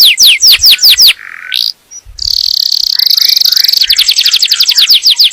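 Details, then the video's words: Yellow canary singing for breeding preparation of the female and teaching of chicks: crisp descending whistles, a short low nasal buzz, a pause, then a rapid high trill turning into quick chattering notes. "تغريد كناري أصفر لتجهيز الأنثى وتعليم الفراخ"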